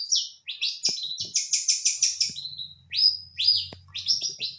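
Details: Energetic song of a long-tailed shrike (pentet): buzzy, downslurred harsh notes strung into a quick pulsing run, followed by a few separate high, sharp rasping calls.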